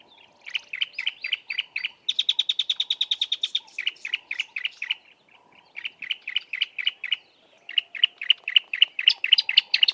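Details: A Bar-throated apalis pair duets from low bushes in rapid ringing notes about four per second, a faster, higher trill breaking in between steady two-part phrases; the male's deeper call dominates the duet.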